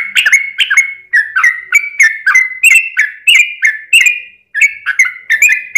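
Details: Lure song of a yellow-vented bulbul, 'ropel panjang' style, meant to set other bulbuls singing. Quick chattering phrases of slurred whistles follow each other without break, with sharp clicks over a steady bubbling pattern.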